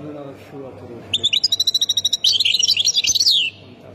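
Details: After a moment of low human voices, a goldfinch from Khemis Miliana, Ain Defla, Algeria, bursts into a fast regular series of bright chirps, then a scratchy, buzzy twittering phrase that stops abruptly.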